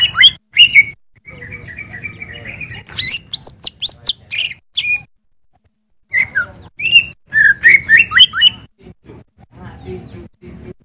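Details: Greater green leafbird tutoring song for cage birds: varied phrases of rapid sharp notes, slurred whistles and chattering runs, pausing briefly mid-way before another burst of mimicking, scratchy and clear notes.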